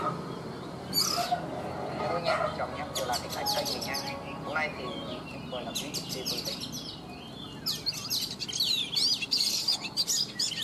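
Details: Oriental magpie-robin, a wild-caught adult kept caged for three seasons, sings in the morning: varied bursts of sweet, high whistles and quick rising and falling trills. There is faint background murmur and a possible voice.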